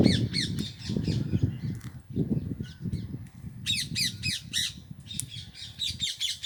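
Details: Indian green ringneck parrots, several birds, give harsh squawking calls in quick bursts of short rising-falling notes, clustered and repeated, over a steady low rumbling background noise.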